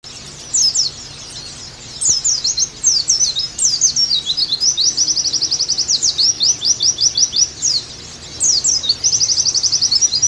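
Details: Oriental white-eye (pleci) song from a master recording meant to get kept birds singing again: rapid high twittering chirps and downslurred notes in dense bursts, a short pause before the first burst and another near the end.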